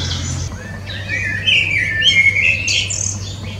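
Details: Common blackbird singing: warbled, fluting phrases that slide between low and mid pitch, broken by thin high squeaky twitters, over a steady low hum.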